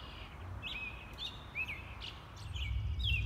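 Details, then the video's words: American robin, with a noticeable rusty patch on its underparts, singing short, clear whistled phrases that rise and fall, about three every second, over a steady low rumble of wind or distant traffic. "Song Bird: American Robin... Enjoy It’s Singing..."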